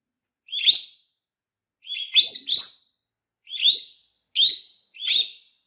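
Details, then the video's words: Lovebird chirping used to teach and liven up other lovebirds: shrill, squeaky high notes given singly or in pairs, roughly every second, in a clean recording without background noise. "CANTO E PIADOS DE AGAPORNIS Para ENSINAR !!!"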